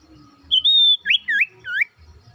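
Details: Sooty-headed bulbul, kept as a lure to set quiet birds singing, gives a drawn-out clear whistle followed by three quick looping, bubbling notes.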